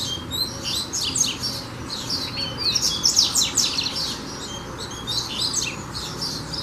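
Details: Coleiro singing hard: a lively, dense stream of high, piercing chirps and slurred notes, about two or three per second, loudest near the middle.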